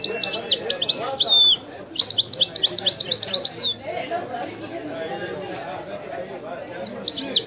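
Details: European goldfinch delivering authentic Wedani song: tinkling high notes and whistled slurs, then a long fast series of rising chirps, a pause of low background chatter, and renewed twittering.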